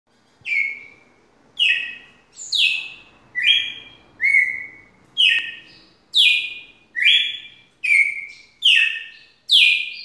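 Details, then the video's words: Red-cowled cardinal giving a long song: clear whistled phrases, each dropping from about high pitch into a sustained lower note, repeated roughly every second in a steady series of ten, with a quiet background. "Galo de campina canto longo"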